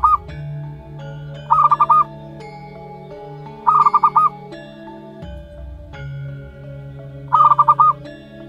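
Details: Zebra dove youngster, one month old, local wild type, giving four rapid stuttering note clusters at irregular gaps, each a tight run of about five hooting pips, with sustained musical tones underneath.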